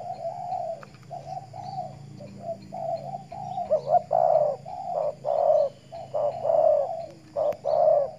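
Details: Morning sunning session for a kept decoy spotted dove in Riau Islands, Indonesia; mellow throaty coos run on continuously, soft at first, then louder accented notes break up the rhythm near the end.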